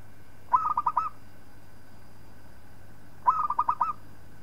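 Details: Local zebra dove singing, used as a master recording for training other birds. Two bursts of rapid, pulsed cooing notes arrive about three seconds apart, each a quick stuttering trill lasting half a second, with steady low hum behind.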